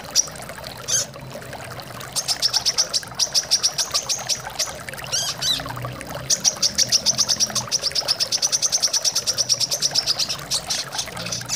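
A Brown-throated Sunbird gives a long run of high, sharp chips, about four or five a second, over the steady rush of flowing water.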